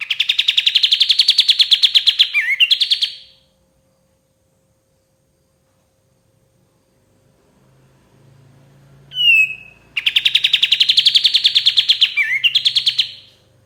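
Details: Song of a White-shouldered triller, a master recording for tutoring songbirds: two fast rattling trill bouts, each closing with a downslurred note, separated by silence, the second preceded by a sharp whistled note.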